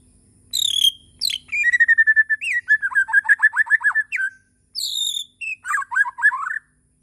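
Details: Bornean white-rumped shama singing in the morning: high whistles, then a long steady whistle leading into a fast rattling series of repeated notes, a pause, and more high whistles with quick warbled notes.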